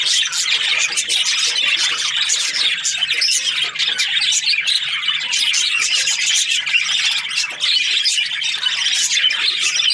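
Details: Steady chirping from breeding pairs of budgerigars: dense, scratchy warbling and frequent sharp squawks pour out without pause from several birds at the same time.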